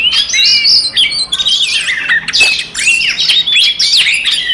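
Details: Oriental magpie-robin singing an aggressive song used to trigger other magpie-robins: scratchy chatter blended with looping whistled slurs and sharp clicks, loud and continuous.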